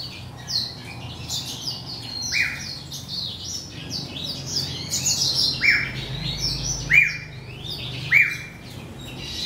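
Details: Hybrid of a male grey singing finch and a female black-throated canary during breeding season. It sings rapid high twittering phrases mixed with several flat, sustained whistled notes, each held about half a second, over a steady low hum.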